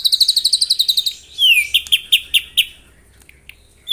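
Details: Morning song from a white-rumped shama provoking rivals: a quick string of bright chirps, a falling whistle, a few separate loud notes, then near silence before a final whistle.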